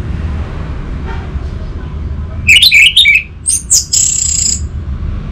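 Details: Short outburst of orange-headed thrush song, used to get a quiet bird singing, Bali. There are a few quick, tangled whistles, then a high thin sustained buzzy note, with low hum throughout.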